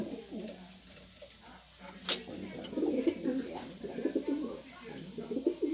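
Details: Racing pigeons kept in a loft at Francisco Sá, Minas Gerais, Brazil: low, throaty overlapping coos from several birds, quiet at first and swelling after two seconds, with one sharp click early and soft room noise.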